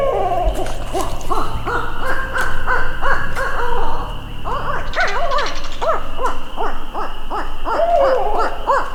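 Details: Barred owls in North American forest pour out a rapid, nearly unbroken run of loud, wavering hoots and whooping cackles that swoop up and down, over a steady high insect drone.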